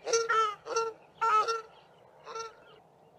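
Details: South African shelduck pair duetting on sewage ponds at Mayfield, Grahamstown, trading loud, harsh, nasal honks in quick bursts, the male's honk lower and the female's higher; towards the end they take off and continue the duet in flight.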